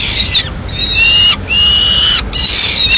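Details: Peregrine falcons at a Madrid nest, May 2016, while the female feeds her two chicks pigeon. Three drawn-out, steady, harmonic wails, each nearly a second long, are separated by short silent breaks.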